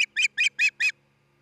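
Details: Osprey at a new nest near treetop homes in Charlo, Montana, on a nest camera, 27 June 2018, one of a nesting couple: five harsh, buzzy notes given in quick even succession, then quiet.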